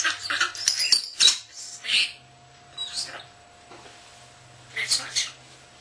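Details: Young pet male common starling, under a year old, kept indoors, talking in mimicked human phrases: short, high, hissy, speech-like bursts clustered at the start, then spaced phrases near three and five seconds, with a faint steady hum beneath.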